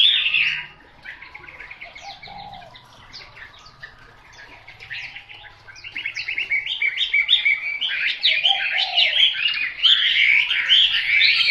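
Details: Household Chinese hwamei starting with a loud burst, then quiet rapid clicking and chattering notes that build into louder, repeated whistled trills toward the end.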